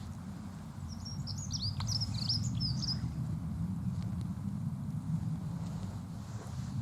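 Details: Dunnock song, described as pleasant: a rapid jumble of thin, high, warbling notes lasting about two seconds, over steady low rumbling background noise.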